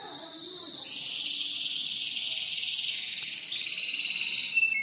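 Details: Caged canary, kept in a new and an old cage, holding a fast buzzing trill that steps down in pitch midway, then breaks into quicker rattling notes near the end.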